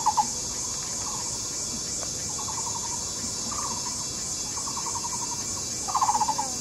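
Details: Taiwan barbet pair courting by duet at a tree-hole nest in a Taipei County nature park; faint runs of hollow repeated knocking notes, a louder burst at the end, under continuous insect hiss.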